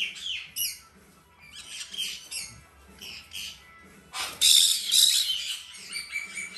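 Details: Hand-reared female blue-eyed cockatoo chick, fed three times a day: scattered raspy calls, then a loud burst of hoarse, noisy squawking near the end, with soft music underneath.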